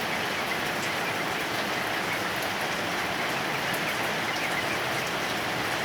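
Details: Heavy rain patters steadily on surfaces throughout, with no bird or other animal sound standing out.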